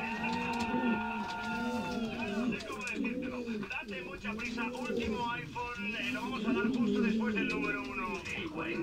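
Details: Steady low cooing arcs from male Canary pouter pigeons in breeding condition, rhythmic and repeated, with busy higher chirping from other birds around them.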